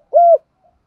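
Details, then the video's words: Spotted dove giving a single short, smooth, level coo, part of a calling sequence used to stimulate and attract other doves; silence after it. "cu gáy kích bổi mới hiệu quả/ tiếng chim cu gáy (thúc + Gáy Gọi) tiếng gáy hạp bổi"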